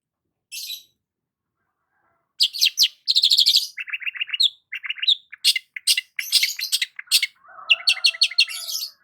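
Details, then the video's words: Sun-basking long-tailed shrike in morning song: one lone rasp, then a long varied run of fast rattling trills, lower clipped notes and dense chatter, ending in a rapid stuttering series over a faint lower hum. "KICAUAN BURUNG CENDET SAAT BERJEMUR DI PAGI HARI"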